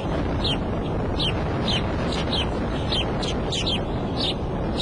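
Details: Bald eagle at the nest on the Decorah eagle cam, April 5 around 2:30 pm, as the female calls before flying out: a series of high, thin, downslurred piping notes, about two per second, over steady low rumbling background noise.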